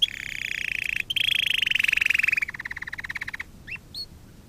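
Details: Canary singing for canary training: long rapid rattling rolls with a steady mid pitch, one tour sliding slightly lower, ending in a fast dry pulsed trill and two short chirps.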